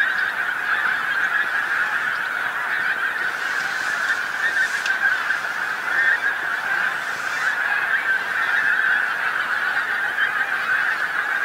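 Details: Pink-footed geese that flew in and settled on a field near the North Norfolk coast in England at dusk; an unbroken wall of overlapping honks from many birds, with a short rushing noise midway.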